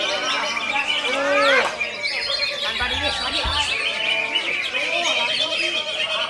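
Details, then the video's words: Greater green leafbird singing in konslet style: a dense, rapid torrent of sweeping whistles and chattering trills, sliding up and down without pause, with a brief low thump partway through. "CUCAK IJO KONSLET"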